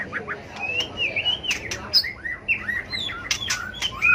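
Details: A tail-flicking White-rumped shama sings a combative fighting song meant to stir other birds: looping, sliding whistles and chattering phrases with some sharp clicks, over a noticeable background hiss.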